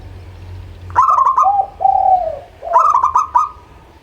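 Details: Local-type zebra dove cooing, used as a lure to prompt birds reluctant to sing: a rapid bubbling coo with clicky, stuttering notes, a lower drawn-out coo, then another fast rolling phrase after a pause.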